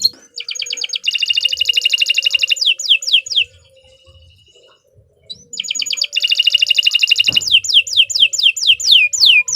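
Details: Canary song for training other birds, long continuous singing; fast buzzy trills of rapidly repeated notes, then a string of downward-sweeping whistles, a brief pause, and the trill sequence starting again.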